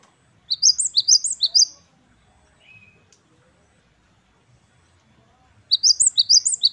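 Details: Great tit, locally gelatik batu wingko, delivering its 'wucit-wucit kristal' song: clusters of piercing, rapidly alternating high notes at the start and end, with a quiet stretch and a soft mid-pitched note between.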